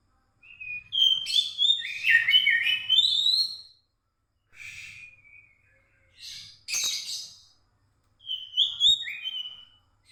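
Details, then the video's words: White-rumped shama singing at night, used as a lure for shamas that stopped singing: clear whistled phrases with rising and falling notes, separated by short silent gaps. "kicau burung kcer mlm hari untuk pancingan kacer macet bunyi"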